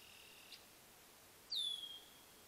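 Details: Wild wood duck (Aix sponsa) during mating gives one thin, high whistle lasting half a second that slides downward, over a faint steady high hiss.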